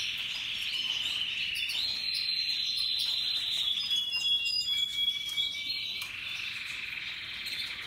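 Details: Russian yellow and Timbrado canaries singing happily: continuous high rolling trills that shift to lower buzzy phrases and sharp whistled notes, then return to a rapid warble.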